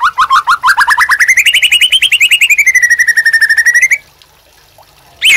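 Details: White-rumped shama master song for training caged birds: one long, fast trill of repeated notes that rises in pitch and then levels off, lasting about four seconds, then a brief silence and a sharp note.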